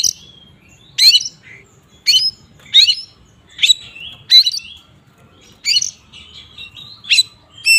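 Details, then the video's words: Oriental magpie-robin in ngeplong style, played to anger other magpie-robins: short, sharp chirps and scratchy notes delivered roughly once a second, with a brief warbled phrase midway, quieter than usual. "Suara burung Kacer ngeplong ini paling ampuh untuk pancingan Kacer agar emosi"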